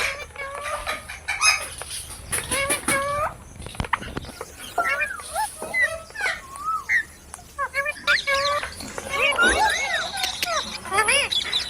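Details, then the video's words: Parrot giving a busy string of short chirps and squawky, bending notes, with bursts of harsh chatter and some speech-like sounds throughout. "Parrot Sounds Videos Compilation"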